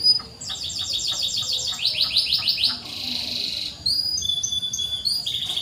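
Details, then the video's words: Fainter canary song meant to prompt quiet canaries: sets of evenly repeated high notes, then a buzzy rasping phrase, followed by thin whistled notes over light background hiss. "PANCINGAN BURUNG KENARI SUARA CUIT CUIT"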